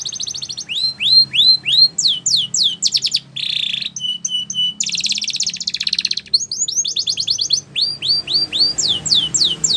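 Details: Canary training song with changing phrases: upswept chirps, a low buzzy roll, short flat whistles, a dense trill, then repeated downslurred notes.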